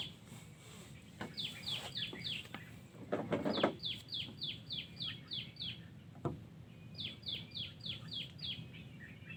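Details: Wild yellow-vented bulbul giving repeated bursts of quick, downward-sliding chirps, four to eight notes per burst, with knocking and rustling sounds in between and a low background rumble.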